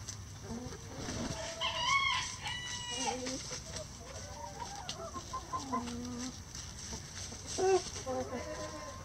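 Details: Backyard chickens eating bugs, worms and pecans in pine needles and leaves while a rooster crows; a strained, harmonic crow of over a second, followed by low clucks and one short sharp squawk near the end.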